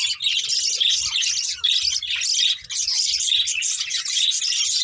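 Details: A breeding pair of colourful budgerigars keeps up continuous warbling chatter: rapid, squeaky, scratchy chirps run together without pause, bright and high throughout.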